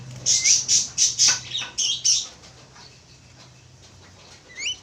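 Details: A pair of Javan mynas calling: a burst of loud, harsh, rasping squawks repeated rapidly for about two seconds, then quiet, ending with a short rising whistled note.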